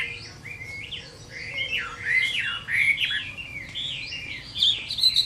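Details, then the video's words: Chinese hwamei fighting song at summer midday, softer and more distant-sounding, with slurred whistled notes rising and falling and a few higher sharp notes near the end. "HỌA MI CHIẾN HÓT TRƯA HÈ"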